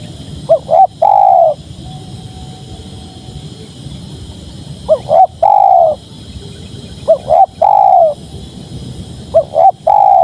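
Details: {'caption': 'Four song phrases from a spotted dove, each a pair of short rising coos leading into one long level coo, repeated irregularly every two to three seconds above a faint low hum.'}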